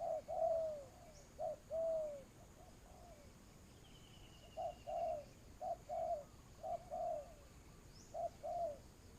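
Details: Spotted dove used as a lure for trapping, low hollow coos: a few long falling notes, a pause with a faint high trill, then quicker short-and-long coo pairs.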